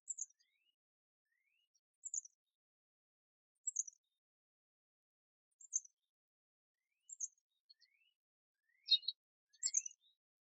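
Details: Backyard birds visiting a feeder: thin, very high chips repeated about every one and a half to two seconds, some paired with fainter rising notes, in an otherwise quiet background.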